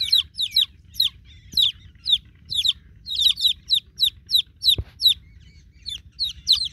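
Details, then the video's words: Several newborn chicks cry for their broody mama hen, giving piercing descending peeps in quick overlapping runs, with a sharp click near the end. "New Born Chicken Chicks Calling For Broody Mama Hen"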